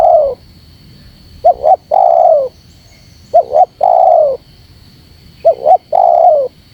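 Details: Spotted dove call used to provoke wild rival doves: three phrases, each a quick paired double note followed by a long, husky, slightly falling coo, about two seconds apart, with a faint steady high whine in the background.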